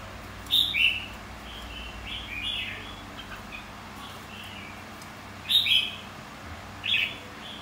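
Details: Red-whiskered bulbul, white-cheeked type, singing for a song contest: short, bright warbled phrases in bursts around 0.6, 5.5 and 7 seconds, each a quick run of clear whistled notes with quiet gaps between.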